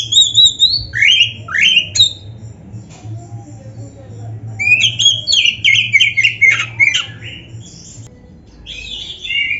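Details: White-rumped shama song made of sweeping whistles and bursts of varied chirps and trills, with pauses between phrases and a constant low droning hum beneath.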